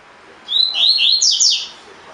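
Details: 'Tui tui fibra' song of a double-collared seedeater, used to train caged birds: one rapid phrase of clear, falling whistles, rising in intensity toward the end, lasting just over a second.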